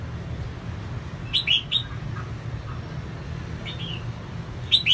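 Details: Singing female red-whiskered bulbul, used to stir up males: one phrase of three clear, dipping whistled notes in the middle, a softer answering note and a fresh start at the end, over low hum.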